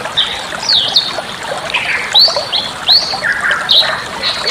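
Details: Bali myna singing, a master recording meant to train other birds: sharp upward whistles and sliding notes spaced about every half second, interspersed with rougher buzzy notes, steady background hiss.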